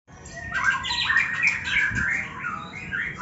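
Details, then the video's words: White-rumped shama (murai batu), one with a cataract or one formerly 'cabul', giving its rattling 'ngetrek' song: quick chattering, buzzy notes in rising and falling phrases over a low murmur of background noise. "ngetrek murai batu katarak dan murai batu bekas cabul"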